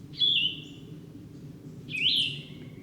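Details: Yellow-throated Vireo in Shenandoah National Park, Blue Ridge Mountains, gives two short, burry, scratchy phrases about two seconds apart, like a red-eyed vireo with a sore throat, over a low rumble.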